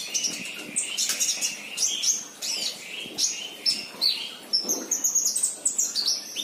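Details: Sunbird, described as a lively, much-singing bird, giving dense, rapid high-pitched twittering with short thin chirps and trills in quick bursts, no other clear sounds.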